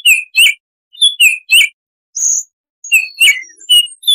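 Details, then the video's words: Baltimore oriole with a wild, forest-like song: clear whistled notes in short paired phrases, some with sliding inflections, separated by brief pauses, plus one higher, thinner whistle near the middle. A clean recording with no other sounds. "Suara Tembakan Unik Burung "Baltimore Oriole""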